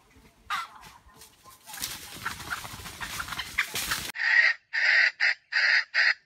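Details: Rustling and handling noise first, then the bait bird of a wild junglefowl trap crows in a stuttering, grinding voice: five loud, harsh, evenly broken bursts.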